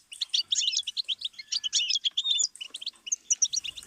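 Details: Learning stimulus of goldfinch song: a steady stream of tinkling, metallic twitters and short buzzes in rhythmic pulses, with a faint low rumble at the very end.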